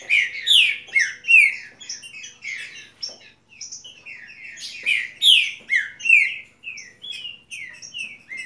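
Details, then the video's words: Saffron finch delivering repeated phrases of loud downward-slurred whistles, roughly one strong note per second, interspersed with softer twittering notes and brief gaps. "Trinca fibra Boa Sorte"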